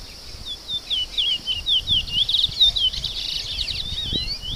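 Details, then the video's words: Chestnut-bellied seed finch song: a fast, melodious string of whistled, swooping notes for about three seconds, then scattered softer notes, over a steady high-pitched insect buzz. "CANTO DO CURIÓ"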